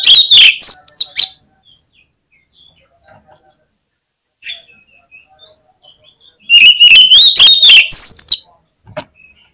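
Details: Oriental magpie-robin singing vigorously, recorded as a lure to provoke rival magpie-robins into heated song on the contest field: two loud bursts of rapid whistles, rising slurs and harsh clicks, separated by a quiet pause with faint chips.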